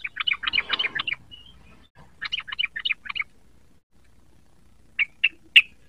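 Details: Young yellow-vented bulbul learning to sing: two bursts of quick chattering, warbled notes about a second long, separated by a pause, then three short, sharp chips near the end. Faint low rumble underneath.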